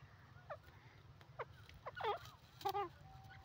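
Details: Grey francolin (Ortygornis pondicerianus), call.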